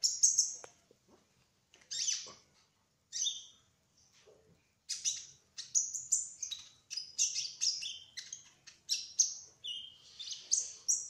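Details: Spotted olive-backed sunbird (trotol) in ngerol song: scattered high chirps with short silences at first, then a fast continuous run of sharp, slurred notes and ticks.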